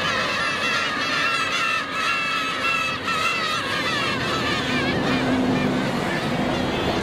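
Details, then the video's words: Many black-tailed gulls in Otaru, Japan, give a dense chorus of harsh, nasal mewing and honking calls, overlapping constantly, while begging for and snatching fish. "The world of the black-tailed gull 魚ちょーだい とられた❗ またちょーだい"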